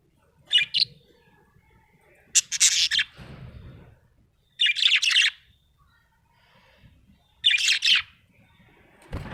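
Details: Happy budgerigar chirping in four separate scratchy, buzzy bursts spaced about two seconds apart, with short silences between and a thud at the end.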